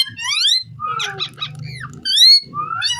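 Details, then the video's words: Pet ringneck parrot talking indoors in a small room: harsh, buzzy, speech-like syllables with rising and falling sweeps, loud bursts near the middle and end, over a low background hum. "Talking parrot so cute"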